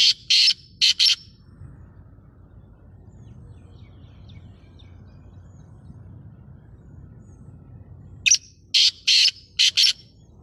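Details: Black francolin repeating its grating call twice: a phrase of four harsh rasping notes, several seconds of quiet, then the same stuttering phrase again.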